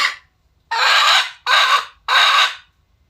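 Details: Red junglefowl calling, recorded 21 November 2022: three harsh, broad, grating bursts about half a second each, evenly spaced with short silent gaps, after a faint tail of an earlier note; no other sounds.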